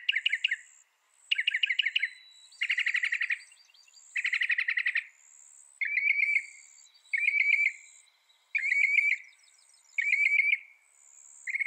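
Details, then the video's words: Northern mockingbird song made of dense chattering bursts, each repeated a couple of times. The bird then moves on to a run of short, upslurred whistled phrases given about once a second, over steady high background hiss. "Northern Mockingbird Bird Sound Bird Song"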